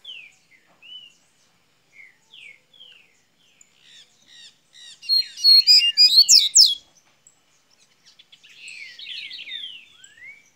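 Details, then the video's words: Double-collared seedeater from Minas Gerais singing in the golinha style, opening its song: sparse high slurred whistles build into a dense burst of rapid sharp notes around six seconds, then a run of buzzy descending slurs. "coleira golinha de minas gerais abrindo canto"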